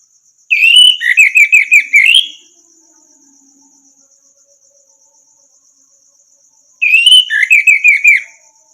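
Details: Orange-headed thrush song for training other birds: two bursts of rapid rhythmic whistled notes, each about two seconds long, separated by a four-second pause filled only by steady high insect hiss.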